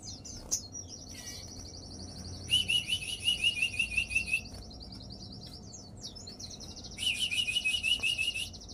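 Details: Sogon (crested jay), excited and in breeding condition, delivers high buzzy trills under a thin sustained whine, with bursts of fast chattering notes repeated in two runs several seconds apart.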